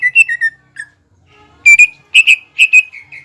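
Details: Greater green leafbird song used to rouse a rival: a few slurred descending whistles, a pause with faint background murmur, then paired loud sharp whistles repeated three times.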